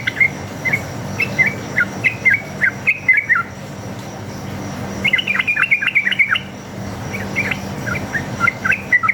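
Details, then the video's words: Sooty-headed bulbul, wild and aggressive, singing rolling 'ropel' song meant to make other bulbuls reply: spaced short whistled notes, a rapid rippling burst after a pause, then more separated whistles. "PANCINGAN trucuk gacor ngalas tarung ropel ini paling ampuh buat masteran trucuk agar nyaut bunyi"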